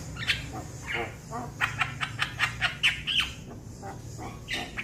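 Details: Young Javan myna calling to its companions: a run of short harsh chirps and clicky notes, several sharp and high, spaced unevenly over a low background rumble.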